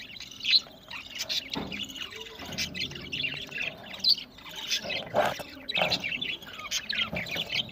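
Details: Several budgies feeding together, recorded November 1, 2023 in Larkana, Sindh, give a continuous stream of thin chirps and buzzy warbles, voices overlapping with occasional louder squeaks and soft knocking sounds.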